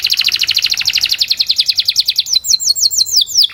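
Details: Canary training song: a quick rolling trill of repeated bright syllables that shifts into slower, spaced downward-slurred whistles near the end.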